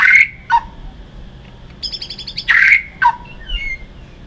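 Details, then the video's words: White-rumped shama fighting song for training: loud harsh bursts alternate with short notes dropping to lower pitch, a rapid high ticking trill between, and soft slurred whistles at the end. "chòe lửa hót đấu"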